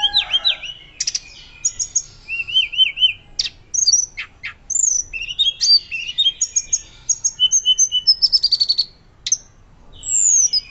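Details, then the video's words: Hill blue flycatcher singing loud, fluting 'nyuling' song, meant as a master recording for training birds: wavering whistles, sharp high strokes, a rapid stuttering trill and a final long descending whistle, with short pauses between phrases. "Tledekan Gunung Gacor Nyuling Keras"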